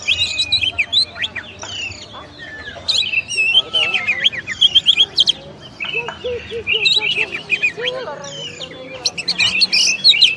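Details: Masteran song of a champion kacer, the oriental magpie-robin: long bursts of rapid varied whistles and chips, with a softer passage of lower repeated notes before loud phrases resume.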